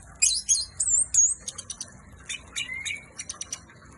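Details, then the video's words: Orange-headed thrush in vigorous song: rapid, varied high-pitched phrases of sharp chirps, trills and short whistles, with one longer slurred whistle near the end, and little pause between phrases. "Anis merah on fire"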